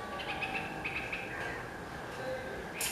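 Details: Red-vented bulbul calling: a quick series of short, bright chirpy notes in the first second and a half, then quieter. Background hum and a brief noisy burst at the end.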